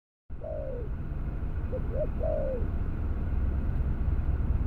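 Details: Albino spotted dove cooing: a drawn-out falling coo, then two short soft notes and another long descending coo, over a steady low rumble of background noise.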